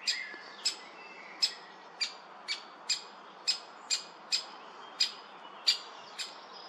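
A young great spotted woodpecker gives sharp, high, clicking calls, about two a second, over a steady soft hiss.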